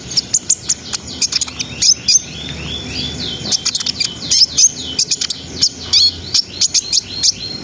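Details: Brown-throated sunbird, singing nonstop and used to raise breeding arousal in untrained birds, pours out fast strings of high chirps mixed with slurred, swooping whistled notes in a dense, continuous song.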